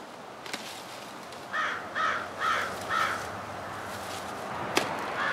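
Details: Crows calling outdoors in the morning near a house while branches are gathered; four harsh caws about half a second apart in the middle, then a sharp click and one more faint caw, over a light background hiss.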